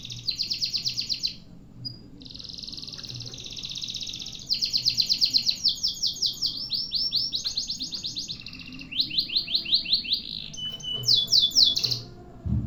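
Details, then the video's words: Canary delivering a long-duration masteran song in one breath: extended bursts of fast, rattling trills, with brief gaps between phrases, changing into sweeping rolled notes and sharp chattering near the end. "MASTERAN KENARI DURASI PANJANG SATU NAFAS"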